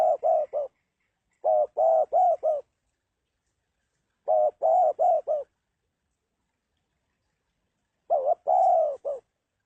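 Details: A spotted dove repeats a low cooing phrase of four or five quick hoarse notes, each phrase about a second long and spaced two to four seconds apart, in a quiet setting.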